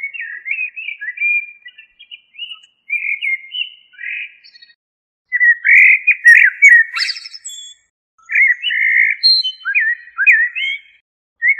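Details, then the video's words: Common blackbird singing a long sequence of fluty, warbled whistled phrases with short pauses, some passages louder and richer, broken by high, scratchy, buzzy twitters; otherwise a quiet background. "تغريد طائر الشحرور جحمومية الزرياب Turdus merula"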